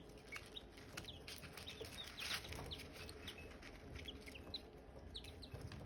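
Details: Silkie chicks beside hatching eggs, brief high chirps spread through the recording, several callers overlapping, over a fairly loud broad background rustle and hum.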